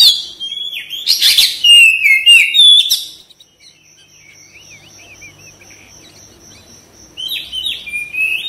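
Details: Caged white-rumped shama singing: a dense burst of loud whistles and sharp slurred notes for about three seconds, then a quiet stretch with a faint steady high tone, then wavering whistles again.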